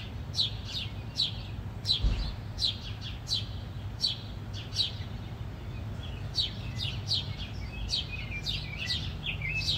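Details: House sparrows fighting: a busy series of short chirps repeated about twice a second, bright and sharp, over steady low rumble of background noise.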